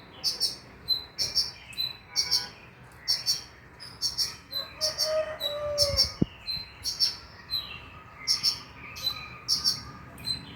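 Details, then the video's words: Brown-throated sunbird (konin) lure recording meant to prompt a bird to sing at night: thin, high chirps repeated roughly every half second in a steady series, with one lower whistled slur midway and faint background hum. "PANCINGAN KONIN AGAR BUNYI MALAM HARI"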